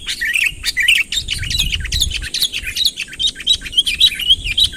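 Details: Busy, continuous bulbul chatter: dense runs of sweet, bubbling chirps and slurred notes, the calls of a Sooty-headed bulbul luring a rival closer, with soft low background noise.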